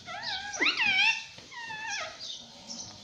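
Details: Pet parrot talking indoors, saying "mummy": a few harmonic, arched vocal sounds, one loud swooping rise and fall in the middle, then softer bent tones.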